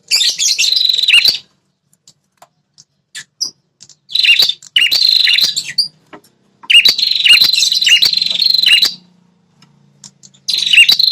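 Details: Loud prinia calling, played to provoke territorial wild males: long, rapid, buzzy high trills laced with falling notes, repeated in four bursts of about one to two seconds separated by silence.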